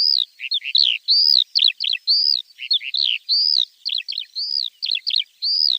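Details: Javan bush lark song used as a training recording for untrained birds: clear, high whistled notes alternating with quick downslurred chirps in a steady, lively stream, with no other sounds.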